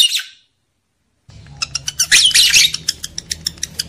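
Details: Lovebird mating-arousal sound for males and females: a short harsh squawk, a second of silence, then rapid high chirps building into a dense scratchy burst and settling into evenly spaced sharp ticks.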